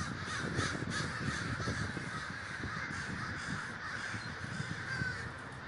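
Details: A communal crow gathering in Davis, California: layered coarse caws from a great flock fill the air continuously, with low thudding sounds beneath.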